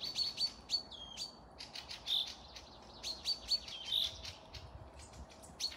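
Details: Forest singing recorded at Panika, Tver region, Russia, 12 May 2024: a dipping then flat whistle stands out early, followed by busy high chirps, ticks and short piping notes from overlapping birds.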